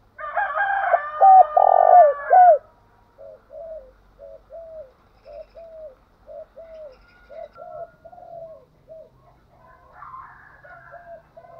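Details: Spotted dove calling to make another bird start singing. One loud phrase of short coos and a long throbbing note stands over a faint higher chatter, then softer rhythmic coos repeat steadily through the rest.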